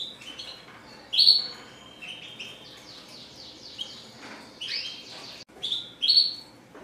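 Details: Red siskin classic-style song with loud clear whistled notes interspersed with runs of quick descending twittering chirps and buzzy trills, the phrases irregular and high.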